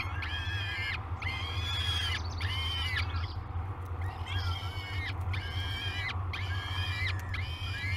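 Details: Peregrine falcon chicks calling at breakfast time in a Great Spirit Bluff nest, live cam, 22 May 2020; a run of seven sustained, whiny harmonic cries, each under a second, with a faint low hum behind.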